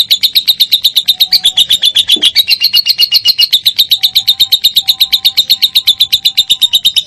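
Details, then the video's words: Lovebird singing, a recording used to provoke other lovebirds to sing: a continuous rapid chatter of bright, high chips at an even pace, with faint thin whistles in the background. "MASTERAN SANGAT AMPUH BURUNG LOVEBIRD MINOR"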